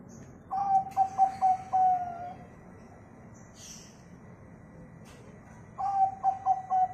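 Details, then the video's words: Local zebra dove singing as a lure for other birds: a fast run of clipped notes ending in a drawn coo, a quiet pause with a faint rustle, then a second phrase begins. "perkutut lokal sangat ampuh buat pancingan biar manggung"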